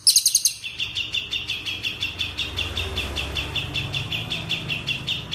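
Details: Cililin singing an Indonesian training song: an opening burst of very high sharp notes, then a long run of quick, evenly paced chirps over a sustained high trill, with a faint low hum underneath.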